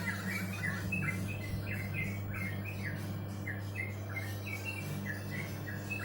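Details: Bird giving rapid, rough chirps one after another at an even pace, partly masked by a strong low hum and faint background rumble.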